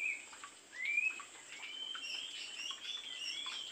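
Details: Oriental magpie-robin (kacer) singing in the morning as a lure: quiet, varied whistled phrases, gliding and rising notes near the middle range, over a steady high-pitched hiss.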